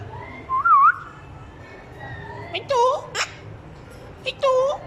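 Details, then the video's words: Parrot copying a small child's voice: a brief wavy whistle, then several harsher voiced, speech-like syllables with rising and falling tones, separated by clicks, over a low hum. "parrots speaking"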